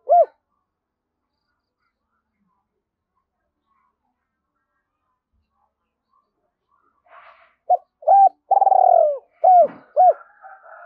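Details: Spotted dove used as a decoy to lure wild doves: a single short coo, then a long silence, then a cluster of hooting coos and one longer rolling, throaty phrase near the end.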